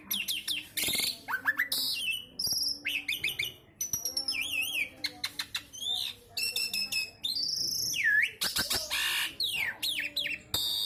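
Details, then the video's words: Javan pied starling (jalak suren jawa) in full isian song, switching rapidly between zigzag whistles, upswept and downswept slurs, metallic chips and scratchy buzzes, phrases following one another with short gaps. "jalak suren jawa / javan pied starling isian sekebon kacang"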